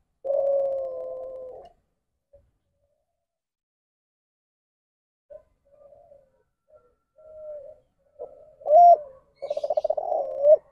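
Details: Spotted dove giving the ndanglong coo, a deviant call form linked to inbreeding: a long low buzzy note, a long pause with faint soft notes, then a loud hoot and a stuttered buzzy phrase.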